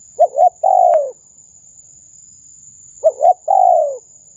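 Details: Lure call of a spotted dove used to draw in wild doves: two phrases, each a quick doubled coo then a drawn-out, gently descending coo, separated by nearly two seconds of quiet and a constant high tone.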